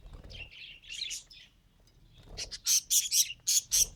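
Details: Pet budgerigar trying to talk: soft warbling chatter first, then a run of loud, sharp, high chirps repeated about twice a second toward the end.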